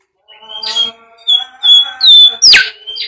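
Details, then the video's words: Bimoli song for luring and training birds: clear drawn-out whistles that rise and hold, ending in a steep upward sweep, with a faint hum underneath. "SIULAN BIMOLI UNTUK PANCINGAN BURUNG"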